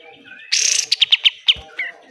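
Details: Pied triller in a lively besetan burst, kept as tutor song for caged birds: a broad buzzy blast, then five sharp high chips about a quarter second apart and a softer closing note.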